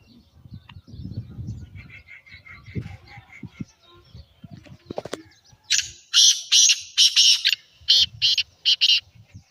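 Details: Black francolin (kala teetar), a natural recording used to make francolins call. Faint low rumbling and soft chirps come first, then a loud, rasping series of about six harsh, buzzy bursts at the end.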